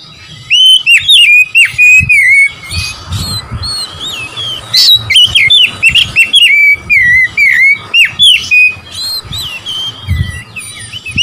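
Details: Oriental magpie-robin song for provoking rivals: a long, almost unbroken stream of loud, sweet whistled notes, twisting slurs and sharp chips, delivered quickly with only brief breaks.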